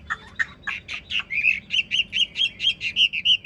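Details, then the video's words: Chinese hwamei, large ngũ trường bird kept in a cage, singing as it nods and dances: a steady string of about fourteen clear, ringing whistled notes, roughly four each second, evenly paced. "Họa mi ngũ trường bộ to hót gật gù múa lân"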